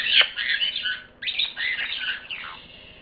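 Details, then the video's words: Parrot making two drawn-out rough, grating squawks with downward sweeps, separated by a brief gap and fading at the end. "пение попугая"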